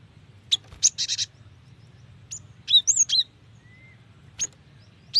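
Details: Female Cinereous tit calling for a male, meant to draw wild birds into song: scattered high chirps and short buzzy note clusters in separate bursts, split by silent gaps, with one thin whistle.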